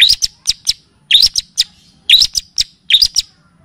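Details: Long-tailed shrike (pentet) tutor and lure recording in the kapas tembak and cililin style: four short bursts, each a rising shrill whistle followed by two or three crisp ticks, spaced about a second apart.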